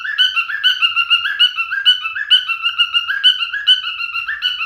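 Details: A male cockatiel sings nonstop, rhythmic warbled whistles alternating between two pitches in a fast, even pattern.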